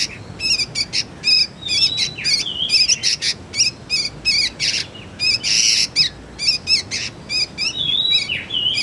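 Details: Juvenile sooty-headed bulbul calling, used as a lure and as a tutor for magpie-robins: dense runs of short trilled chirps broken by occasional drawn-out, slurred whistles.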